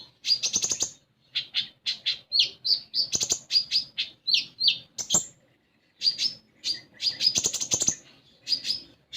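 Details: Varied common iora song used as a trigger for young captive ioras: dense rapid chirps, twisting whistled notes and harsh rattling bursts, nearly continuous with one short gap midway.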